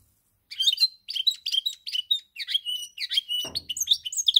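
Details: European goldfinch recorded on 10 November 2019, singing a quick tinkling twitter of bright, slurred notes in short bursts, with brief pauses between phrases and a soft thump partway through.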